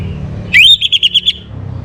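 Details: Orange-headed thrush (Geokichla citrina) morning song: a bright, rising whistled note followed by five quick, clear repeated notes, over a faint low hum.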